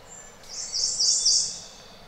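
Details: Japanese robin singing: a faint high whistle, then a loud, very high rolling trill in three swelling bursts over about a second, with soft background noise.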